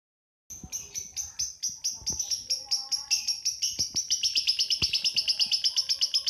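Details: Lovebird giving a long ngekek trill, locally likened to a steam train: rapid, even chattering pulses high in pitch, starting after half a second and speeding up and growing louder toward the end, with faint background sounds.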